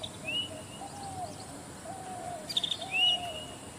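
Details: Zitting cisticola, more often heard than seen: a brief cluster of sharp, high clicking notes and clear rising whistled notes near the start and end, over a steady high insect-like hiss and soft lower sweeping tones.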